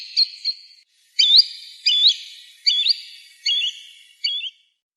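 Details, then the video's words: Green sandpiper, used to lure birds for hunting: separate upslurred whistled notes, often paired, repeated roughly every 0.7 seconds, each trailed by a long ringing echo. "Green Sandpiper Bird call"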